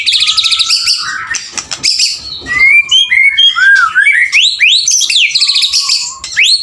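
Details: Male white-rumped shama singing vigorously, mixing high rapid trills, a long steady whistle, looping slurred notes and steep rising sweeps, with brief raspy bursts between phrases.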